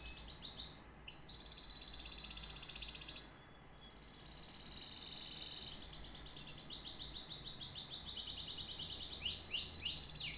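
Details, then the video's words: Canary song of rolling tours: rapid repeated high notes, a buzzy sustained trill, a short pause, then long fast trills and a few sharp descending notes. "The best tweets of a canary bird"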